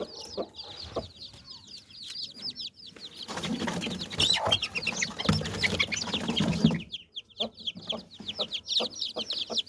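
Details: Mother hen with nine chicks gathering under her wings, soft low clucks among a constant stream of high, thin chick peeps, with a burst of rustling and scuffling in the middle.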